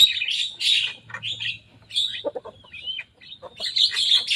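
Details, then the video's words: Young Javan myna, a tame bird in lively song, imitating rivals' songs: bursts of harsh, buzzy chatter and squeaky whistles around the upper mid-range, with short gaps and a thin whistled slur near the end. "Jalak kebo muda gacor bongkar suara lawan."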